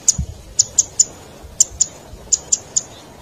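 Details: Zitting cisticola lure sound for trapping wild birds: very high, dry zit clicks in pairs and threes, with a low thump near the start.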